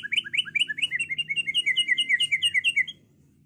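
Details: White-rumped shama, a singing bird used to provoke other birds to fight and sing: fast, even run of about fifteen rising whistled notes, repeated several times a second for three seconds, then stops.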